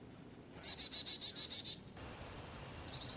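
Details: Carolina chickadee opening with a thin high note, then a string of seven or eight hoarse dee notes, followed by faint high chips and another short buzzy burst.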